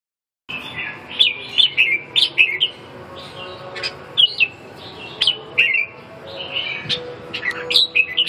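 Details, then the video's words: Red-whiskered bulbul singing while sizing up a rival: a lively run of short, bright whistled phrases, rising and falling, delivered in quick bursts with sharp clicky accents and brief pauses, over a faint steady hum. "ché thăm dò đối thủ"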